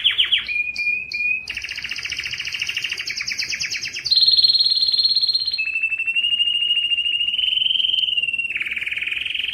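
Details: Distinctive canary singing meant to push males to sing louder: a few short chipped notes, then a dense rattling trill, a bright sustained tour, and long even bubbling rolls shifting slightly in pitch.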